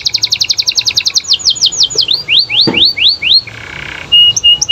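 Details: Canary pouring out a rapid series of double notes, then slower down-slurred and up-slurred whistles, a soft buzzy phrase and a few sharp flat notes; a brief click sounds midway.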